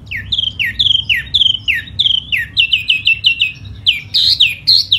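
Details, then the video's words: A silver-eared laughingthrush (tiểu mi) in spring delivers hót xoè display song: loud, down-slurred whistled phrases repeated about twice a second, then quicker rising notes at the close. "Mùa xuân xem chú tiểu mi hót xoè rất hay"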